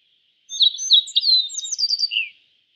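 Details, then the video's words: One loud two-second song phrase from a yellow bunting, an East Asian bunting: slurred whistled notes, then a quick run of repeated sharp notes and a final falling note, against near silence. "Suara Burung YELLOW BUNTING - YELLOW BUNTING Bird Sound"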